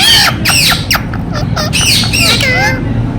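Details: Ringneck parrot (rose-ringed parakeet) talking "Mitthu Mitthu"; quick bursts of bright, downward-sweeping, harmonic syllables, several in close succession, mixed with harsh squawky notes against low rumbling background noise.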